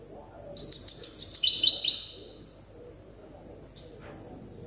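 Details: Still-learning goldfinch hybrid, tutored by an older hybrid, delivers a quick series of sharp high notes sliding gradually lower, followed after a pause by a few short separate chirps.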